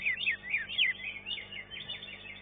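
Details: Green leafbird singing in a bird-singing contest, a third-place winner in its class; rapid varied whistled and chirping phrases, sliding notes repeated in quick bursts, with faint background noise.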